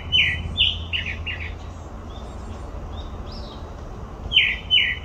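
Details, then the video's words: Grey-backed thrush at Olympic Park: four rich descending whistles, the last two lower and buzzier, a pause with soft high twitters, then two more loud falling notes, with low hum behind. "되지빠귀 울음소리"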